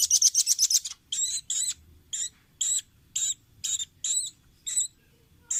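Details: Velvet-fronted nuthatch on a training recording for caged birds: a fast, high, rattling trill of about eight notes, then regular harsh, doubled, buzzy notes about twice a second.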